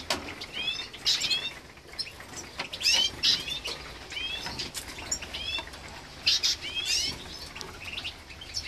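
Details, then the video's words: Eurasian siskin × canary hybrid at a nest check, 2023: high, thin twittering calls and chirps in short bursts, with soft rustling and wing flutters between them. "Λουγαροκάναρο 2023 Έλεγχος Φωλιάς - Green Siskin X Canary Hybrid 2023 - Nest Check"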